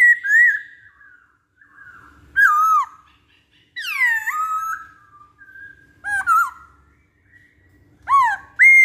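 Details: Masked laughingthrush (poksay hongkong) lure recording: bold whistled notes that dip and rise, a long downward-curving slur near the middle, loud bursts separated by short pauses, clean and close with little background.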